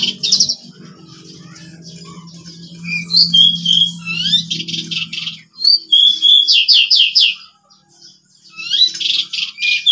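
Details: Pied bushchats, three birds at home singing ngeplon style as at a contest; high whistles and rapid rattling trills in bursts, over a low steady hum in the first half.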